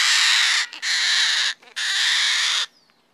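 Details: Cockatoo, one of the crested parrots, giving loud, harsh, raspy screeches: one long scream broken by a brief dip, a short gap, then a second sustained screech of nearly a second, ending in near silence.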